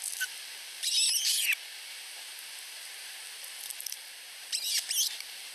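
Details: In a Finnish osprey nest, two chicks under a week old compete for food from their mother; two separate half-second bursts of shrill, chattering peeps stand out against a steady hiss.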